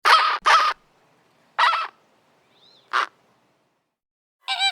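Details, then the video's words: Flamingo calls: loud nasal honks, two in quick succession, then single honks spaced about a second apart, with a faint thin whistle between them. "FLAMINGO VOICE | BIRDS | CALLS | FLAMINGOES"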